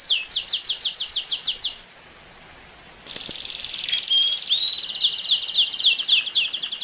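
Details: Singing Belgian canary, a quick run of about ten descending notes, a pause, then a sustained buzzy trill with sweeping whistles and more descending notes.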